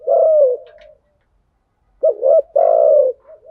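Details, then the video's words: Spotted dove lure call in thúc gù and gáy gọi styles, from male and female birds, played to stimulate decoys: one long throaty coo, a second of silence, then a quick double coo and a drawn-out rolling note. "Tiếng chim cu gáy mồi giọng lôi cuốn hấp dẫn đủ bài[ THÚC GÙ , GÁY GỌI ]"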